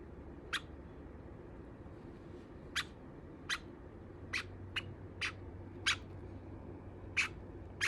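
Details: Pet Java sparrow indoors, calling loudly as if complaining that its companion teases it by nibbling and biting its feathers; short sharp chip notes repeated irregularly, about eight in eight seconds, over a low steady room hum.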